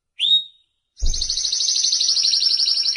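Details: Timbrado canary (Serinus canaria): a single rising whistled note, a brief pause, then a loud, dense, sustained high trill with a low thump at its start.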